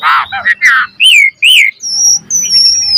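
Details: Asian pied starling with a varied training song for cage birds, a harsh rasping note, two loud arching whistles, then long high thin whistles held steady.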